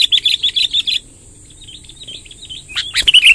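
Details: Sooty-headed bulbul in long rolling song, a one-second burst of rapid bright notes, softer trailing warbles, then loud looping notes again at the end.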